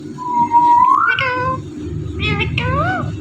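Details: Indian ringneck parrot mimicking speech, a talking bird; a smooth rising whistled tone followed by harmonic-rich speech-like syllables with wavering pitch, over a low steady hum.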